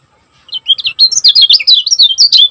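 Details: Kecial kuning (lemon-bellied white-eye) of Lombok singing in the quick, tightly packed 'gacor speed rapat' style. Rapid high chirps start after half a second and run together into a bright, unbroken twitter.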